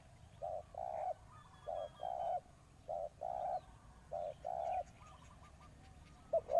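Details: Decoy spotted dove calling for wild doves: muffled, low paired coos, a short note then a longer one, repeated every second or so, with a faint thin whistle briefly heard early on.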